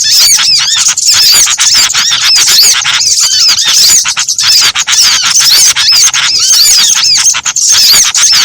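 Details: Blend of small-bird voices used to attract birds for trapping: busy, high-pitched twittering with clear hooked whistles over a hissing chorus, loud throughout with rare brief lulls.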